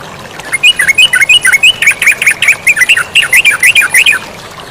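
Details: Yellow-vented bulbul in lively song over flowing water. After a half-second pause, roughly twenty quick, liquid notes bounce up and down in a continuous chattering stream against a low background wash.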